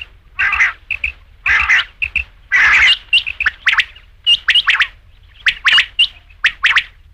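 Rain quail giving harsh, squawky bursts mixed with sharp metallic chips, loud and close, repeated every half second to second.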